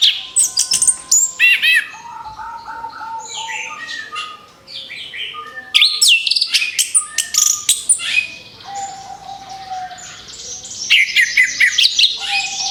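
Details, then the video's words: Orange-headed thrush (anis kembang) singing as a lure for other birds: bursts of varied chirps, sweeping whistles and dense twittering, broken by short pauses, with a long, steady low whistle running through the middle. "SUARA ANIS KEMBANG BUAT PANCINGAN MAUT"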